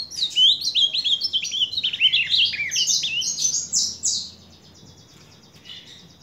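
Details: Ultramarine grosbeak song from July 2023: a fast, varied, warbling phrase of clear rising and falling whistles lasting about four seconds, then faint high notes, with a low hum in the background.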